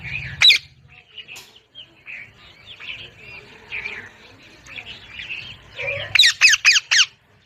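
A parrot gives a harsh squawk, then a stretch of raspy, muttering chatter, ending in four loud, rasping squawks in quick succession.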